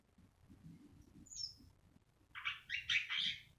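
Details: Javan pied starling, a caged songbird, giving a short burst of harsh, chattering notes near the end, preceded by a faint high thin whistle over low background rumble.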